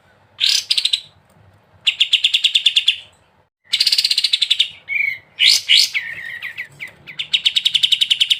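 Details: Tutor recording of a prolific sooty-headed bulbul in ngebren style: repeated short bursts of buzzy rapid trills mixed with sharp chirps and slurred whistles, separated by brief pauses, with faint low background hum.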